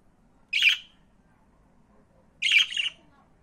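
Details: Pet budgerigar gives two short, harsh, scratchy chirps about two seconds apart, each with a brief rasping trail, against an otherwise quiet indoor background.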